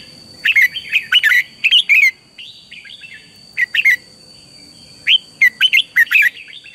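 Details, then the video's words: Red-whiskered bulbul morning song used as lure sound for training birds to sing fired-up: three bursts of sharp, chattering whistled notes, a long run at the start, a short pair mid-way, another lively run near the end, steady faint high tone. "luyện chào mào hót sáng, Hót hay KÍCH BỔI NHANH CĂNG LỬA, Cách luyện chào mào hót căng lửa"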